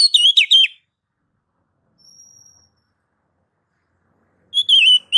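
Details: Oriental magpie-robin (kacer) giving short gacor phrases of wavering, slurred whistles, separated by a long quiet gap holding only a thin, faint steady tone.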